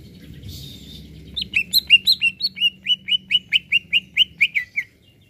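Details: Greater green leafbird in full song, meant to stir up other birds: a rapid series of about sixteen sharp whistled notes, each dropping in pitch, delivered about four per second over a faint low hum.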